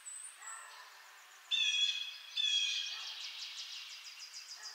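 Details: Two harsh, drawn-out jay notes from a blue jay a short way off, following soft high twittering and lower chatter from other birds, which continues after the calls.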